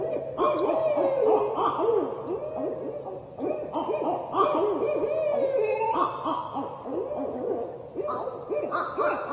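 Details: A pair of barred owls revving up their territorial calls, often because they hear another pair or a lone bird on an established territory. Wild overlapping hoots, wavering cackles and sliding caterwauling notes pour out almost continuously, rising and falling in pitch.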